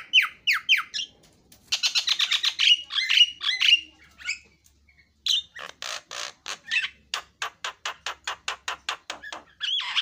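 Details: Javan myna song mixing quick falling whistles, a fast rattling trill and chattering phrases, then a long series of harsh, clipped notes repeated about twice a second.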